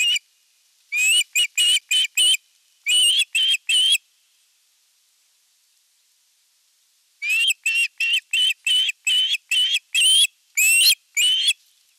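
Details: Osprey at its nest during evening feeding, 30 June 2022, filmed by a live nest camera: two series of sharp, high whistled calls, each note rising slightly, about four then eleven in quick succession, separated by a few seconds of silence.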